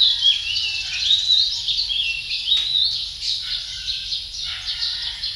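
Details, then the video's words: Male Philippine magpie-robin singing a rich, continuous warble of varied whistled and slurred phrases without pause, with a faint steady high whine behind. "Male Philippine magpie-robin song"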